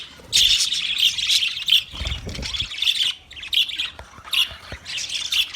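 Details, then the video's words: A group of budgies chirps for a lone bird. Loud, continuous high warbling has short squawky notes woven in and a brief low thump partway through. "Budgies chirping sounds for lonely bird"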